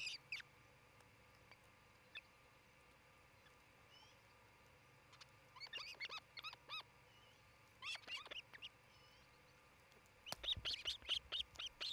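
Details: Osprey calling from its nest in Charlo, Montana, near midday on 27 June 2018, nest camera: bursts of high whistled yelps coming in quick series, building to a rapid, insistent string of chirps near the end.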